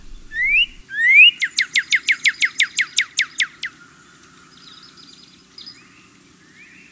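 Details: Northern Cardinal singing in the transition from late winter into early spring: two rising whistled slurs, then a quick burst of about eleven sharp downslurred notes, followed by faint, scattered chirps.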